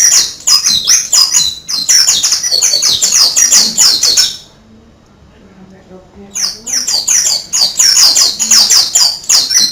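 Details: Oriental white-eye used as a master bird, singing in canary style: fast high twittering phrases with rapid sweeping notes, broken by about two seconds of near silence before the dense chatter resumes.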